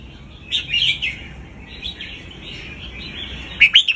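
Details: Caged red-whiskered bulbul singing to teach young birds: a bright, fluty warbled phrase, then a pause before two quick, loud chirpy notes near the end, over a steady high hiss.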